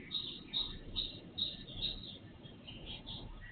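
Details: Birds singing before dawn, recorded on an IP surveillance camera; high clipped chirps repeated roughly every 0.4 seconds, then softer notes, with steady low noise beneath.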